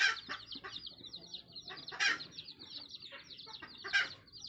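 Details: Red junglefowl hen calling her chicks: repeated short harsh clucks about every two seconds, with many high, thin, down-slurred chick peeps between them.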